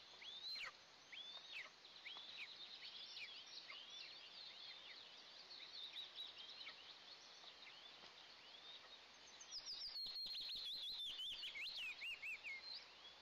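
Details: Two Eastern imperial eagle eaglets on a nest camera, first breakfast of the day, June 29, 2024: high, thin whistled chirps, curved and rising or falling, repeated rapidly for the whole stretch, louder and denser near the end, over steady background hiss.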